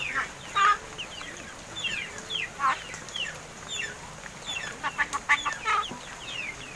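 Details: Martinez birds (crested mynas) raised in captivity for over seven months, now talking; scattered slurred chirps and short whistles, with clusters of sharp clicks and harsh notes toward the end.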